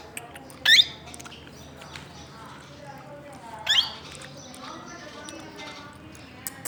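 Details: Plum-headed parakeet uttering two brief, shrill squawks about three seconds apart over low background murmur and faint speech.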